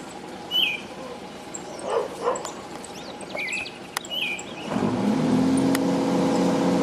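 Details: Pale-breasted thrush singing in the city among truck noise, passing people and barking dogs: a few short whistled phrases in the first seconds, then a truck's engine roar swells and drowns the scene.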